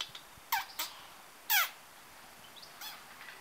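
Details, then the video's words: Captive owl at a bird of prey centre in Newent, England, filmed in 2014; a few hoarse, downward-sliding squawks in quick succession, with one louder harsh call near the middle and a fainter one toward the end. "A talking owl"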